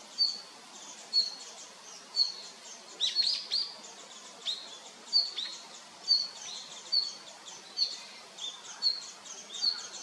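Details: A male red-flanked bluetail repeats a thin, high single note roughly once a second, about eleven times, broken near the third second by a brief flurry of busier chirps.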